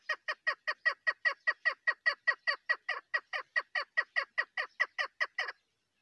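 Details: Female chukar partridge kept for partridge hunting, giving a long even train of hoarse chuck notes, roughly two to three per second, all of similar loudness, ending abruptly after about five and a half seconds.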